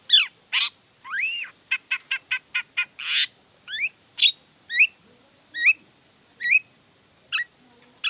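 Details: Long-tailed shrike in full song, provoking other shrikes to answer: rising whistled upslurs and a rapid series of high clicks, followed by repeated hooked chirps spaced about a second apart.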